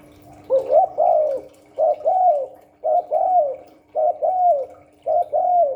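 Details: Spotted dove (cu đất) cooing in the 'Hạp Bổi 38' voice style, with urging, calling and gù coos: five mellow two-part phrases, a short rising note then a longer falling coo, repeated about every second over a steady low hum.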